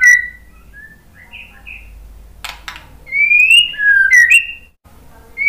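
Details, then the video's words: Singing white-rumped shama used to goad other birds into song: quiet short whistles at first, then loud rising whistled notes with quick sharp ticks between them. "Kicauan MURAI BATU bikin NYAUT ikut BUNYI GACOR BONGKAR MATERI ¦ PANCINGAN MURAI"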